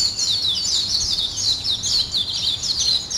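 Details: Morning birds chirp and twitter together in a thick, high-pitched wash of quick notes with no pauses.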